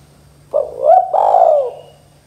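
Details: Spotted dove in a lure recording of the lively 'kuk 2' style: one call of a short rising coo run straight into a longer, hoarse, slowly falling coo, lasting about a second, over a faint steady low hum.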